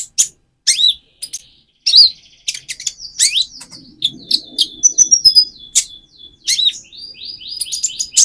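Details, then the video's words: Spotted young-plumage Van Hasselt's sunbird singing energetically as a provocation for another sunbird; busy, high twittering with thin sustained whistles and quick downslurred notes running almost continuously. "Burung Konin trotol gacor untuk pancingan menaikan mental emosi kolibri ninja"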